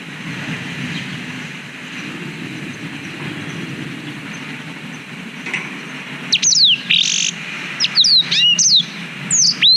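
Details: Black-throated canary, recorded with a GoPro Hero 5 to train canaries: six seconds of low rumbling background, then a late burst of bright, falling whistled notes and short chirps.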